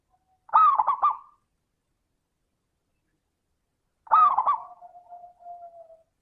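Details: Zebra dove (perkutut) 'crystal' lure song: two looping warbled coo phrases about three and a half seconds apart, the second drawn out into a low steady trailing coo.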